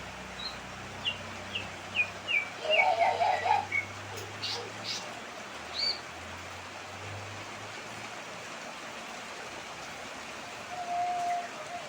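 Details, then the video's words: Bird calling during heavy rain: a descending series of short chirps followed by a brief warbled phrase around three seconds, then scattered sharp notes and a steady whistle near the end, over constant rain hiss and a low hum. "Burung bersuara aneh di gemuruh hujan"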